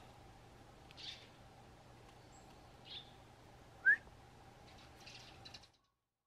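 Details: Pet sparrow kept indoors with other birds, answering its keeper's whistle: soft, high, brief chirps near one, three and five seconds around a single loud, short, rising human whistle, over a steady low electrical hum.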